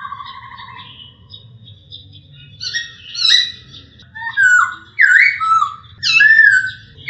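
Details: Masked laughingthrush recorded clearly for training other birds: opens with a pulsed trill, builds through jumbled chatter into several loud swooping whistles, each rising and falling sharply, low hum constant throughout.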